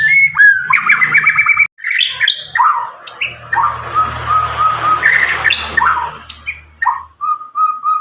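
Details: Loud, clear song of a roughly nine-month-old White-rumped shama from Medan, just past its juvenile plumage, untutored by recordings, used to prompt young birds to sing: rapid repeated chips, steady whistled notes, harsh rasping phrases and varied trills.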